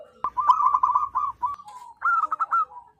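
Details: Wild local zebra dove calling loudly for luring: a sharp start into a quick fluttering run of coos, a soft trailing note, then a second short phrase of four or five bouncy notes.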